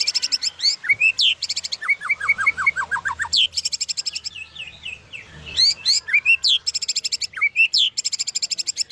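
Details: White-rumped shama of the Medan type singing a full song packed with mimicked fill-in phrases: rapid bursts of very high repeated notes alternate with a run of short, evenly spaced whistled notes, then rising upslurred whistles, over a quiet background.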